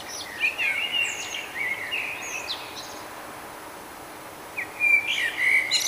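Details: Morning song of a nightingale in Budapest, Hungary, May 2009, taken with a Canon Powershot SD1000: sliding whistled notes and short chirps, a pause, then a fresh burst of sharp notes, all over steady broadband hiss.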